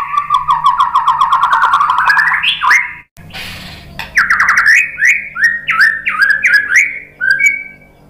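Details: Provoking song of a white-rumped shama: a long stuttering trill climbing in pitch, a short noisy break, then a series of loud downslurred whistles repeated about twice a second, ending on a thin high note.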